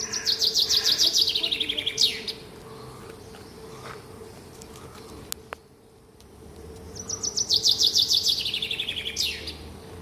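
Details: Small bird singing in the morning, giving two matching high phrases about five seconds apart. Each is a fast run of sweet notes falling in pitch and finishing with a sharp rising flourish, over a faint, constant hum.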